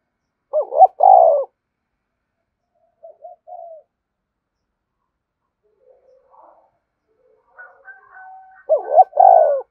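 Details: A spotted dove (Spilopelia chinensis) gives low, hollow cooing phrases with quiet gaps of several seconds between them, a coo meant to stimulate other doves to coo in reply.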